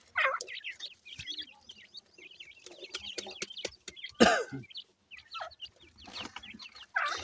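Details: Francolin (dakhni teetar) chicks with a new pair of adults: many thin upslurred peeps repeated rapidly and overlapping, one loud harsh burst near the middle, and a rougher call at the end.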